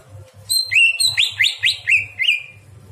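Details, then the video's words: Nighttime greater green leafbird song used to train other birds: a tight phrase of five or six loud, swooping whistled notes, each rising sharply then sliding down, with a steady low hum beneath. "masteran cucak hijau di malam hari"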